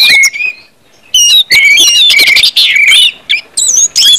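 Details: Orange-headed thrush song for stimulating other birds, short bursts of clear whistles and harsher notes separated by brief silences.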